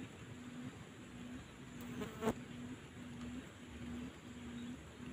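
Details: A wild pair of quail in the grass of an oil palm nursery answers a caged lure bird. A low, hollow hooting note repeats about every half second in a steady series, with one sharp click midway and a soft background hiss.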